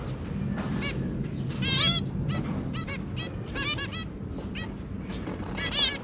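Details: Caged zebra finch family, two adults with three babies, 23 January 2022: clustered nasal honking beeps with rich overtones, several birds answering in quick groups, pausing briefly between bursts.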